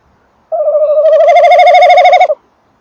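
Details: Male tawny owl at a nest box on the evening of 28 December 2013, 19:48, microphone close to the box: one steady, rapidly pulsing mid-pitched trill lasting about two seconds, against quiet surroundings.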